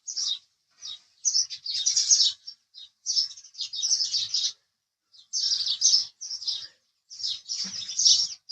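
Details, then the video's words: House sparrow chirping in loose clusters: bright, scratchy chirps run together in short bursts separated by brief silences, with no other sounds. "house Sparrow Chirping Sound"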